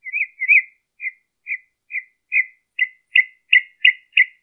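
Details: Singing northern mockingbird, Colton, California, 23 March 2015: soft warbled notes, then a run of short, sharp chirps repeated about three times a second, getting louder toward the end, in a quiet setting.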